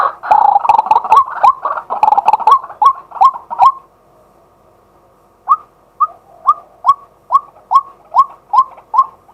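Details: A male White-breasted waterhen calls during the day, recorded live by a set-up camera: loud, raucous croaking ends abruptly, and after a short silence clear, rising, hooked notes repeat roughly every half second.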